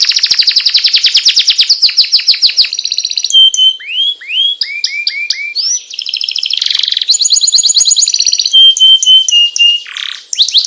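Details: Loper canary's extended rolling song, alternating fast high trills with lower looping whistled notes and sustained rattling passages, varied and continuous.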